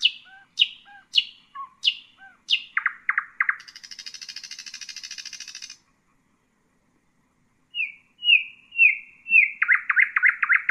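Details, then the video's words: Nightingale song aimed at teaching young birds, with sharp downslurred whistles, a long buzzy rattle, then drawn-out whistles leading into a rapid stuttering trill. "أفضل تغريد للعندليب الحسينة لتعليم الفراخ"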